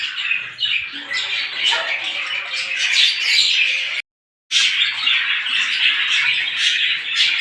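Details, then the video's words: Small birds heard in the morning, a crowded chorus of high chirps and twitters from many birds, broken by a short half-second silence before the dense chattering resumes "صوت العصافير في الصباح"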